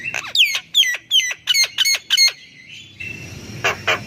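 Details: Javan myna song played to coax silent mynas into singing; a rapid series of harsh, squeaky notes with sharply descending sweeps, about seven bursts in two seconds, then quieter rasping calls after a brief pause.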